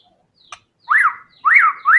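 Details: White-rumped shama song in tembakan style: a faint click, then three loud clear whistles that arch up and slur down.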